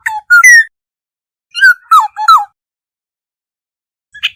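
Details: Flock-gathering call of the Black-hooded oriole, used as a lure: the tail of one whistled phrase, then a phrase of three wavering, falling notes. A new phrase begins near the end.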